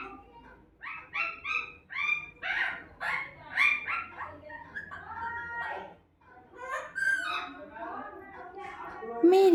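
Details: Talking parrot saying words in Hindi like “meri mummy” in a rapid string of short, scratchy, voice-like syllables, a brief silence, then more clipped chattering, in a small indoor room.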